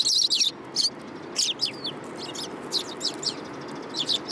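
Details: Sparrows in a city coming to be fed, 30 November 2015. Loud chattering chirps open the clip, followed by scattered single and double high tweets from a group, with low traffic-like hum beneath.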